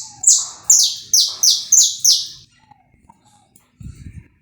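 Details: Saffron finch singing in a live warm-up recording: six rapid, harsh, downward-sweeping buzzy notes in quick succession, then a few faint chips and a brief low thump.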